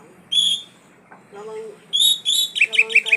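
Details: An Oriental magpie-robin of the black-breasted poci form singing vigorously. It gives high, bright, squeaky whistled notes with a ringing edge, then a fast run of sharp chips at the end. Low murmuring sounds underneath.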